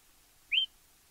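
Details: A Yellow-browed Tyrant (Satrapa icterophrys) in Argentina sings one brief, thin, high note that slurs quickly upward and then levels off, against an otherwise quiet background.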